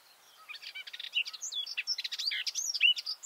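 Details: Garden warbler (Silvia borin) in full song, recorded close from beneath its bush: a quiet start building into a fast, continuous warble of sweet whistles, slurs and chatters.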